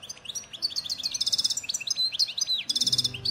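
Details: Goldfinch from Souk Ahras (Taghast), Algeria, singing the 'nature' song shared with Ain Dalia dam, Djnane Bouecha and Firmet Djoudi birds of 1995; dense, high twittering with rapid buzzy rattles, and a faint low hum near the end.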